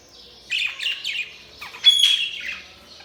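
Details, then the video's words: Chirping budgerigars give a run of quick scratchy chirps, three or four close together, then a pause and a louder squawky burst with a bright held whistle, trailing into soft chatter. "Budgies Chirping sound"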